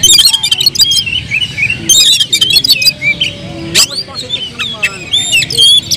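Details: Agitated oriental magpie-robin song meant as a lure to stir other birds: dense runs of high chirps and harsh rasping bursts, then bending whistles near the end, over a faint low hum.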